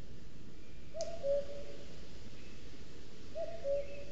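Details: A male common cuckoo, a summer visitor, sings all day to claim territory in Scots pine forest in Sierra de Guadarrama National Park, Madrid side: two-note 'cu-coo', high dropping to low, twice about 2.5 s apart, over steady hiss.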